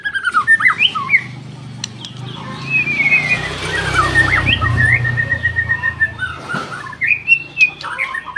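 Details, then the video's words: White-rumped shama song: loud looping whistles and quick chirps over a steady low hum, with long gliding notes in the middle and a burst of choppy trills at the end. "KICAUAN BURUNG MURAI BATU F4 GACOR"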